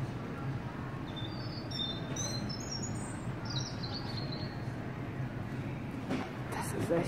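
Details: Robin song in a German garden centre, March 2018, a bird kept supplied with food, drink and a shelter; a run of high, sweet, quickly changing twittered notes over the first four seconds, then only background hum and rustling.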